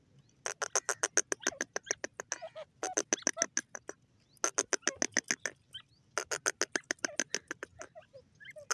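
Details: Grey francolin, known locally as dakhni teetar, calling loudly in bursts of rapid, sharp, clipped notes, about three per second. The notes come in runs of a few seconds separated by brief pauses, with faint softer chirps in the gaps.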